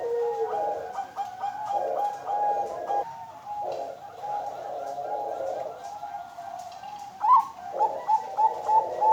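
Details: Captive ringed female zebra dove of the Bangkok strain, hatched 31 October 2022, kept at a breeding farm in Kediri, East Java, Indonesia. Gives low, mellow coos in rolling phrases, then a string of short, bright, evenly spaced notes near the end.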